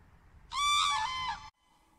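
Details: A common crane gives a single loud, rich trumpeting call of about a second, holding steady then dipping slightly, echoing over a field in thick early-morning fog; a pair of cranes was seen there.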